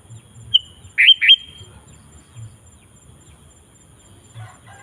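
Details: Loud, lively sooty-headed bulbul song used to call in wild birds. There is one phrase of a sharp high note and two rapid slurred notes, then faint chattering near the end.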